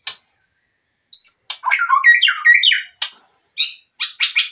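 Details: Medan white-rumped shama in lively gacor song: a brief click, a pause, then a rapid tumbling mix of high whistles and warbled notes, followed by separate short bursts of harsh chatter.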